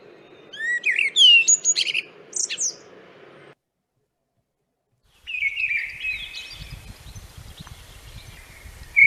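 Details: Blackbird song from Essex, played for comparison with mistle and song thrush: a few mellow, fluty warbled phrases ending in thin squeaky twitters; after a pause, a second recording gives a drawn-out whistle over low rumbling noise.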